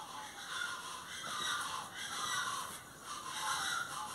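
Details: Plain chachalacas (Ortalis vetula) give loud, harsh, raucous calls in rolling bursts about once a second, sounding like an overlapping chorus.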